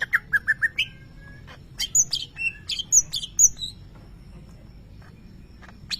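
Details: Caged greater green leafbird, a contest champion, singing with imitations of a lovebird: a run of five short, sharp chirps, then a varied burst of high whistled and buzzy notes before a pause, with steady low background hum.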